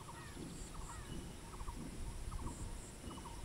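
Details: A Bronze-winged jacana roaming and eating gives short, clipped mid-pitched notes in quick groups of two or three, roughly every half second, over a heavy low rumble and a faint high buzz.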